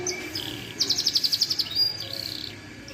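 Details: Yellow canary in song: a rapid trill of about a dozen evenly spaced high pulses, followed by a clear whistled note and a softer buzzy tail.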